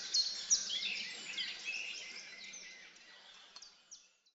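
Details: Male European robin courting a female he has just fed, giving a high, thin, rapid twittering run of varied notes, steady for about three seconds before fading; faint background hiss.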